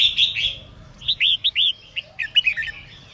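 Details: Female red-whiskered bulbul singing to stimulate males: opens with a bright warbled phrase, then a string of short curved whistled notes and quick chirps, clear and high-pitched.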